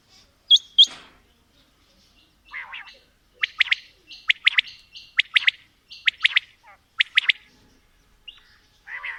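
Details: A quail mix of female and male calls: two loud sharp opening chirps, then a fast, irregular series of clipped doubled notes and buzzy bursts, several per second.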